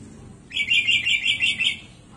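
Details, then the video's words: Sooty-headed bulbul in full energetic song with many fill-in notes, delivering one continuous bright phrase of quick warbling whistles that undulate up and down before fading, with a low background murmur. "KUTILANG GACOR ISIAN MELIMPAH"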